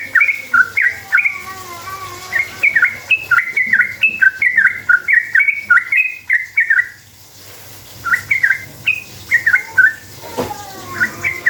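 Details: Sooty-headed bulbul in extended gacor ropel song meant as bait for other bulbuls: a seven-second burst of rapid, springy notes, a silent gap, then more quick note pairs and a sharp click.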